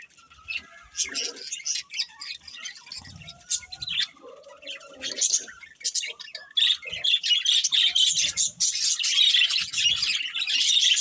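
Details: Budgerigars chirping, kept as pets: busy bursts of high, scratchy twittering and warbling chatter, quieter with gaps in the first half, then dense continuous chatter from several birds toward the end.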